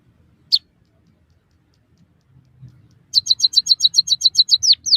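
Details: White-headed munia song from a recording used to train captive birds: one isolated high note, a pause, then a quick even burst of about twelve sharp chips ending in a downslurred whistle.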